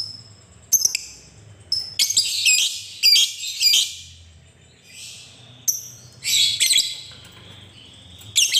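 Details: Lovebird calls meant to prompt other lovebirds to sing: clusters of harsh, buzzy high chirps and squawks with brief thin whistles, coming in uneven bursts with short quiet gaps.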